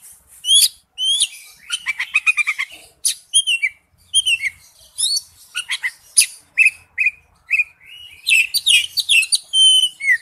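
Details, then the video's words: Oriental magpie-robin lure song for a ringtone: varied high whistles, rapid trilled rattles and slurred upsweeping notes in separated phrases, with quick chirps near the end. "tiếng chim chích chòe than mồi"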